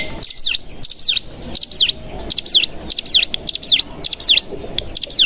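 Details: Bar-winged prinia (cigun) decoy song used to bring other cigun into song. Sharp double ticks followed by high down-and-up swooping whistles, repeated roughly twice a second with short pauses between phrases.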